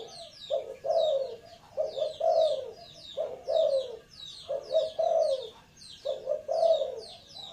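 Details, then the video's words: Spotted dove cooing in a regular run of two-part, hoarse, descending phrases roughly every second, with sharp high chirps from another bird woven in behind. "suara tekukur punya isian selang penguku"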